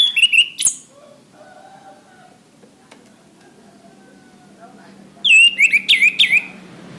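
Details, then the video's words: Masteran tutor song of an orange-headed thrush, known locally as anis kembang, for caged birds: a short burst of clear whistled and sliding notes, then a quiet pause with faint hum, then a longer quick run of varied whistles. "Suara Anis kembang | Masteran | Bunyi burung"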